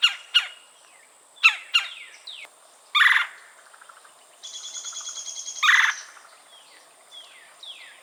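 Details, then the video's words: Red-bellied woodpecker in Florida, filmed on a Canon R5 C: sharp clipped notes, then a harsh rolling burst, a steadier pulsed trill and another rough rolling note, with faint sliding whistles behind. "Red-bellied Woodpecker Calls - 3 Different Sounds"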